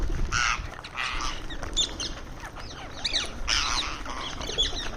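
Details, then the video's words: Harsh grating squawks from an Indian ringneck parrot feeding on a terrace at a daily bird feeding, several loud bursts a second apart mixed with thin rising chirps over a steady low rumble. "Cute Ringneck Parrot Making Sounds While Eating"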